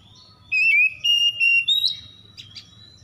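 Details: Oriental magpie-robin (kacer) at dawn, a lure for stressed magpie-robins: three drawn-out, level whistles rising toward the end, then a few faint chips over a steady low hum.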